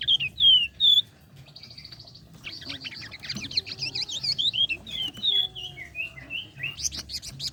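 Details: Flame-breasted flowerpecker singing energetically, a lure for competition songbirds. Three loud, sharp, falling whistles open, then a brief buzzy trill, then a long run of high twittering notes and descending whistled phrases.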